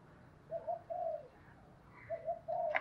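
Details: Spotted dove used as a decoy, cooing in the 'tho dong' voice style to bring wild doves back: two short series of mellow, slightly falling coos over steady background hiss, ending with a sharp click.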